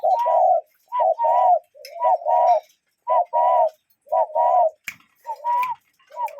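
A cuckoo gives mellow two-part hooting calls, a brief higher note dropping to a lower one, repeated about once a second; faint chirps behind.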